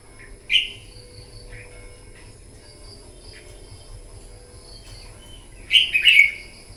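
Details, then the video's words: Red-whiskered bulbul, a newly wild-caught bird urged to sing competitively in the morning: a short sharp note early, then a long quiet gap, then a louder bright warbled phrase of slurred notes near the end. "Kích chào mào bổi hót đấu " luyện giọng chào mào hót buổi sáng kích chim hót đấu căng lửa"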